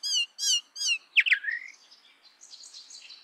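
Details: Common myna giving three harsh, nasal notes at an even pace, then two sharp squeaks and a fading high, scratchy chatter.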